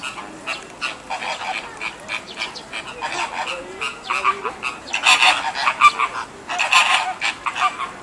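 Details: American flamingos at Ueno Zoo, Tokyo, on 28 June 2014, the second day after the first chick hatched, give a busy chorus of nasal, goose-like honks and gabbling, overlapping calls roughly once a second.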